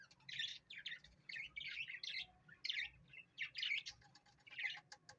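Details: Parrot making a series of short, bright, buzzy chirps in irregular bursts, about one each second, over a faint low hum.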